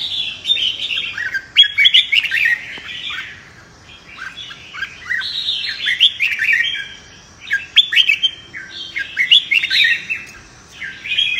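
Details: Red-whiskered bulbul fighting song, played to stimulate wild-caught birds. A steady run of cheerful, warbled phrases rises and drops in pitch with brief pauses, and several clusters of loud whistles stand out.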